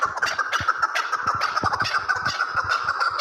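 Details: Chukar partridges from Kabodiyon calling: a dense run of rapid, clucking notes repeated about three times a second on a steady mid pitch, with clicks and scratchy knocks underneath.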